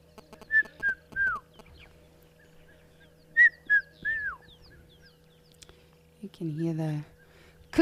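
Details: Red-chested cuckoo (Cuculus solitarius) gives its three-note whistled phrase twice, the last note slurring downward, over a steady engine hum, on 12 November 2022 as a dry period turns wet; a man speaks at the end.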